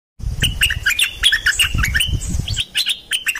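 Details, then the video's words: Dok Taeng bird singing for teaching young birds and rousing birds: a dense, lively run of chattering chirps and warbled whistles, with low rumbling noise below. "เสียงนกดอกแตงEp.2 ใช้หัดลูกนก เปิดให้นกคึก!!"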